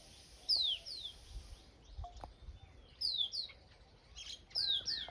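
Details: Village birds on a calm summer morning after the wheat harvest, giving quick high descending chirps in small clusters, with faint low rural background noise.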